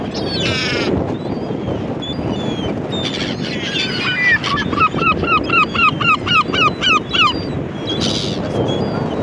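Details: Several gulls cry over a constant low roar; after scattered squeals, one bird gives a rapid series of about twelve arched, bugling notes at an even beat, then more shrill cries close it out.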